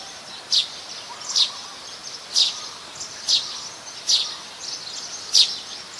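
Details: Plain-backed Sparrow (Passer flaveolus), a common resident, recorded at Ubon Ratchathani, Thailand, on 17 January 2020 with a Nikon P1000: short bright chirps repeated roughly once a second, with a faint low hum beneath.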